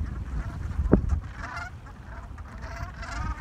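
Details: Gulls at a communal morning gathering before sunrise in New England give scattered nasal cries near the middle and end, with a sharp knock early on and constant low background rumble.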